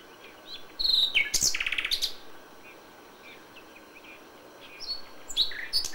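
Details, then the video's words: Common nightingale recorded at dawn in May; after a quiet start comes a loud outburst of sharp notes and a fast rattling trill, then softer scattered chirps and whistles return near the end. "A FÜLEMÜLE ÉNEKE"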